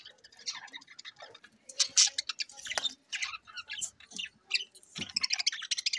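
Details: Selectively bred rainbow-coloured budgies kept as pets, October 9, 2023, giving rapid high chirps and clicking warbles in an uneven stream, loud peaks separated by short pauses, with softer chatter underneath.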